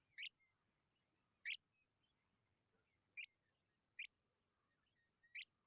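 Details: Hungry Tawny pipit chicks begging: loud, harsh, buzzy bursts at irregular intervals of about one to two seconds, five in all, with faint thin falling whistles from other birds in the background.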